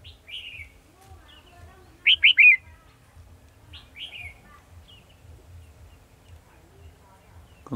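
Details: Decoy red-whiskered bulbul singing from a trap cage, 18 December 2020: short descending whistled phrases, a loud quick triple-note burst, then more brief whistles over a faint low hum.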